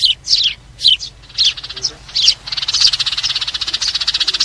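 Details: Sparrow flock call used as a trapping lure: several sharp, slurred chirps, then a fast, even, pulsing chatter that runs to the end.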